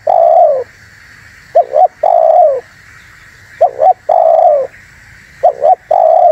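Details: Lure recording of a spotted dove, used to draw in wild doves. A long coo alternates with a short two-note stutter, giving a steady repeating pattern about every two seconds over a constant high hiss.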